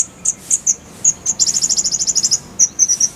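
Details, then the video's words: Kolibri ninja (purple-throated sunbird) rolling shot: a few high piercing chips lead into a fast, even, very high trill lasting about a second, then scattered chips resume. "Masteran Kolibri ninja full isian, Roll tembakan Suara jernih Cocok untuk Semua burung kicau"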